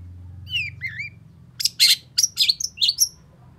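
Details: Long-tailed shrike song for encouraging a non-singing bird: two soft curved whistles over a low hum, then a quick series of loud, harsh, buzzy high notes about every quarter second.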